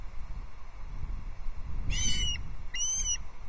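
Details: Ospreys quarrelling over a shared fish at a Loch Arkaig nest, Scottish Highlands, 2 August 2022, caught by a nest camera: two short bursts of shrill, piping whistled calls about a second apart against steady low wind rumble.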